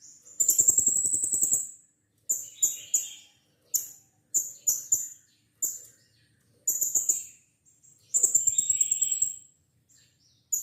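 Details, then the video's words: Blue-crowned hanging parrot lure recording, played to prompt a captive bird into song: long, very high shrill trills of a second or more alternate with clusters of short piercing squeaks, spaced irregularly. "Burung serindit gacor - pancingan serindit agar bunyi"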